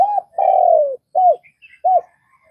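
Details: Brief burst from a Vietnamese spotted dove: a short coo, a long drawn coo falling in pitch, then two evenly spaced arched notes, with faint high chirps between them.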